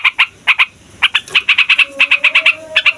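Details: Yellow-vented bulbul of fighter type in a long, noisy rolling song meant to provoke other songbirds: bursts of rapid bright chattering notes, paired then in runs of five or six, with a faint steady low hum beneath.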